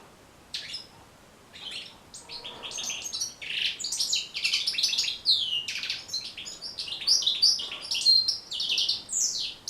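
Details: Continuous, lively European goldfinch song of rapid chirps, ringing notes and buzzy trills, steadily getting denser. The recording is meant as a tutor to train goldfinches to sing.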